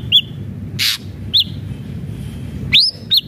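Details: Vigorous song of an ashy drongo, used to stimulate captive birds: a few separate clear arched whistles, one rising upslurred note and a single harsh burst, with low background hum.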